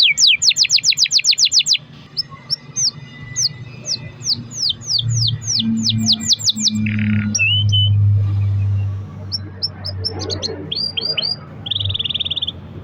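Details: Canary song meant to prompt other canaries to sing: a rapid high trill opens, then spaced downslurred whistles and short chips, fading into scattered notes and a brief steady whistle over a low rumbling hum in the background.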